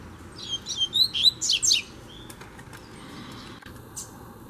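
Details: Free double-collared seedeater coming in to challenge a caged bird: a quick run of high, sharp whistled notes and slurred chirps in the first two seconds, then quieter scattered ticks over steady background hiss.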